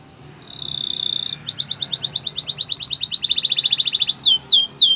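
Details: Canary training song: a bright buzzy roll, then a quick train of short clipped notes, a dense ringing trill, and a few loud sweeping downslurred whistles at the end.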